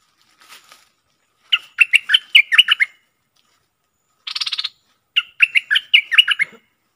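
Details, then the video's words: Bulbul singing, dated 24 October 2021: faint chirps, then a run of about nine quick, warbling notes that rise and fall, a dry buzzy rattle, and a second run of similar lively notes ending in a soft thump. "Burung merbah lekir"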